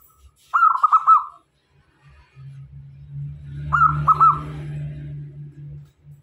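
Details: Decoy zebra dove of a local type, kept to bring other doves near, delivers two short clusters of fast, rolling coos about three seconds apart, accompanied by a persistent low droning hum.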